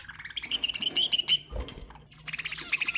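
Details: Budgerigar calls for stimulating breeding: quick runs of bright, repeated chirps that pause for about a second. The rapid chirping then resumes.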